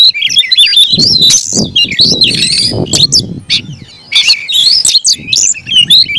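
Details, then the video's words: Caged Oriental magpie-robin in aggressive fighting song: continuous warbled whistles and scratchy notes over a noticeable low rumbling background. "kacer gacor tarung ngotot agresivitas"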